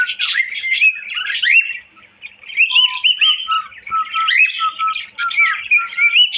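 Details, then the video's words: Cockatiel gives rolling warbled chatter, falls silent briefly, then resumes with a string of short, low, steady whistles between higher twittering notes. "Bullo Cocktail Parrot Whistling"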